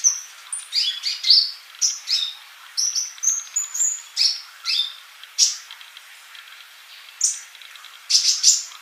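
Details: Sunbird song for masteran tutoring, sung gacor: a lively stream of high, sharp chirps and thin whistles, a few every second with small gaps, sliding between very high and slightly lower notes, clean background.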